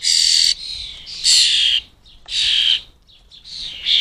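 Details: Fledgling starlings at a UK feeding station beg from adults: loud, grating screeches of about half a second, four in turn with short quiet gaps, some with a slight falling whine.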